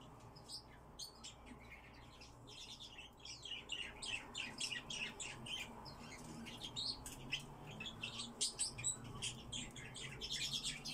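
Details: Kept Eurasian blackcap singing indoors: a quick, scratchy warbling run of short high chirps and twittered notes, delivered in uneven bursts over a low room hum.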